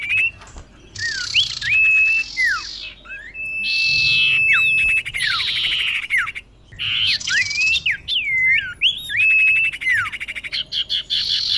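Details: Common iora female calling to a male, kept as a lure recording. Dense buzzy rasps alternate with looping whistled notes that dip and rise, then a steady drawn-out whistle and more falling slurs in quick succession.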